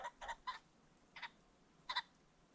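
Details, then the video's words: Ring-necked pheasant calling at sunset on a creek bottom: three rough clucks close together, then two isolated louder, doubled harsh notes. "The Sounds of the Ring-necked Pheasant"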